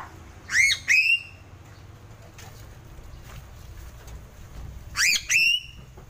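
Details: Sulawesi crow (gagak sule) giving a pair of ringing upslurred notes, then a quiet stretch of about four seconds with faint rustling, then another similar pair.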